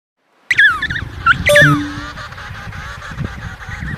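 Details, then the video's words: A penguin gives a burst of harsh, honking squawks, each sliding downward, for about a second before fading into a rough, noisy background. "બાળકો હવે આપણે પેંગ્વિન નો અવાજ સાંભળીએ [હાસ્ય]"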